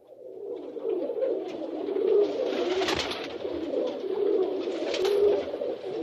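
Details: Rock pigeons cooing together with wing flapping: a dense, continuous low murmur of overlapping coos, swelling and fading, broken by sharp clattering wingbeats near the middle and again toward the end.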